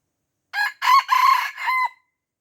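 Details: Red junglefowl from Aceh, surrounded by young birds and refusing to fight, gives a loud crow of four harsh, harmonic-rich bursts over about one and a half seconds, the last note held and dropping at the end, then silence.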